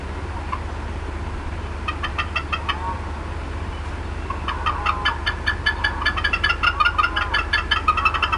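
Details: Upset female bald eagle clucking without stopping at the Decorah North nest, 4:23 PM CDT on 18 April 2016: a short burst of clucks, then a quickening, louder run of rapid chirpy notes over a low hum.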